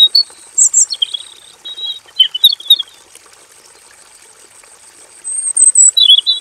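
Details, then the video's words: Robin in a simple aviary cage, singing with full variation: rapid high chirps and whistled slurs in a busy opening run, silence, then another burst of sharp high notes near the end, hiss behind. "KICAU SUARA MASTERAN BURUNG ROBIN GACOR FULL VARIASI"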